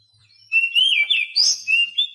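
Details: Brief Oriental magpie-robin song for training quiet captive birds: a sweet, sliding whistled phrase rising into a brighter flourish and ending on a steady note.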